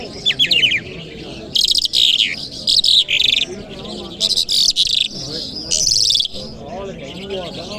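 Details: Friday-morning lark song in Kabul: a few quick rising notes open repeated bursts of dense, buzzy, scratchy warbling broken by brief silences, with faint low ambient noise throughout.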